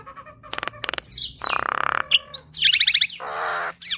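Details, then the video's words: Javan myna song with rich fill-in phrases, played to tutor caged mynas. Sharp clicks, a long buzzy rasp, a fast high trill and another grating buzz, closing with a rising whistle. "Kicauan Jalak Gacor Suara Khas Jalak Kebo Full Isian"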